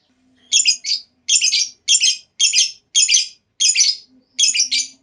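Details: Lovebird calls from a lure recording meant to start other lovebirds singing. Harsh, raspy squawks come in short double bursts about every half second, with a faint low hum underneath.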